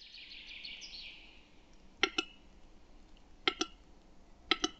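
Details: Male western capercaillie singing in Lithuania: after a fading hiss, sharp dry double clicks come in three pairs, about one to one and a half seconds apart, in a quiet setting.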